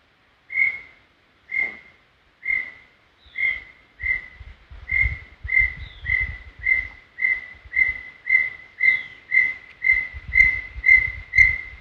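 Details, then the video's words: Brown tinamou song from Serra do Brigadeiro State Park: a long series of pure whistled notes that starts about a second apart and steadily speeds up to a fast, even run of roughly sixteen notes. Low rumbling noise sits underneath. "Som limpo do canto🎵 do Inhambuguaçu. Som original da ave, sem interferência de efeitos sonoros."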